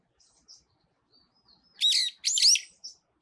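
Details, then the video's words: Brown-eared bulbul perched on a pine tree gives two loud, harsh squealing notes with looping rising-falling sweeps, preceded and followed by soft thin chirps. "소나무 위에서 노래하는 직박구리"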